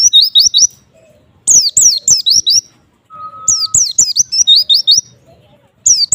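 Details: White-eye singing to trigger responses from others of its kind: several bursts of sweet, high-pitched whistles, swooping downslurs alternating with quick upward chirps, in phrases about a second long.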